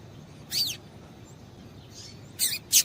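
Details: Calling female Double-collared seedeater, used to get a male singing: one clear, high, downslurred chirp, a faint softer note, then two sharp chirps close together at the end, against low steady hiss.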